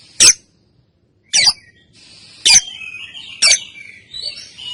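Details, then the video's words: Female lovebird recorded to train other birds, giving four harsh sharp chirps about a second apart, with thin wavering whistles running between the later notes. "Suara Burung LOve Bird Betina Balibu Kusumo Ngetik Konslet Ngekek Pancingan Masteran Panjang"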